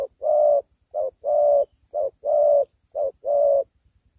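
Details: Spotted dove, young and not yet fully collared, in a cage during a fight in Vietnam: evenly spaced pairs of a brief coo and a longer, level coo, four pairs in quick succession.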